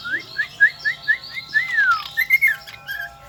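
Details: Shrill singing of a Lombok kombo, endemic to Lombok island: a series of short rising whistles repeated about four times a second, then a long descending whistle and a few more slurred notes.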